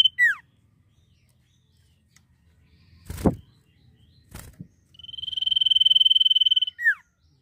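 Common Iora sings a quick down-slurred whistle, then a long, steady, high whistled note of nearly two seconds ending in another falling slur; a couple of dull knocks are heard between.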